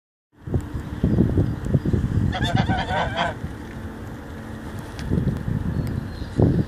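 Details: Geese on a Wednesday morning, with a burst of low, coarse honks repeated in quick irregular succession, then a steady background rumble and a few more honks toward the end.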